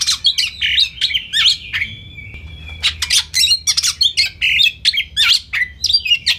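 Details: Caged white-rumped shama song used as training material for other birds, full of varied fills and rapid-fire bursts; loud mixed whistles, harsh notes and quick chirp clusters in irregular phrases, with a steady low hum beneath.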